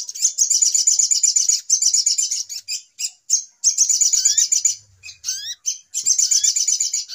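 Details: Little spiderhunter lure recording of noisy calls used to attract birds for trapping: dense, rapid high chipping trills in bursts, broken by short gaps, with brief rising whistled slurs between.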